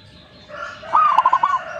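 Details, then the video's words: Single short phrase from a singing zebra dove, a fast string of soft, clipped cooing notes rolling to an end, over a faint steady background tone. "gacornya perkutut ini"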